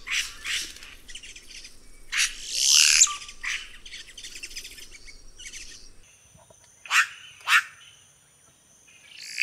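Red-rumped cacique giving bursts of harsh, chattering squawks and a sweeping slurred note, then two sharp calls half a second apart, over a thin, steady high whine.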